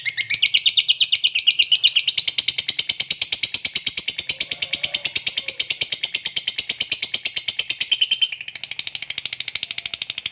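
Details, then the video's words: Sustained ngekek from a fighter lovebird, a long unbroken series of shrill, scratchy notes repeated about three per second, dropping in loudness toward the end. The chatter is used to provoke other lovebirds into answering. "Suara Burung Lovebird FIGHTER Ngekek Panjang PANDAI Pancing EMOSI, Apapun Lovebirdmu PASTI NYAUT"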